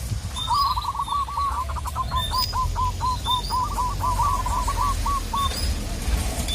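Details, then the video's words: Local zebra dove calls a rival with one long cooing phrase, a quick rolled start breaking into a row of clipped repeated coos, over rumbling background noise and scattered thin chirps of other birds. "Perkutut lokal gacor memanggil lawan"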